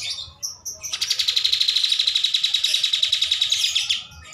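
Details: Kapas tembak bulbul master song: a few short high whistles, then a steady fast buzzy trill of pulsed notes lasting about three seconds before fading.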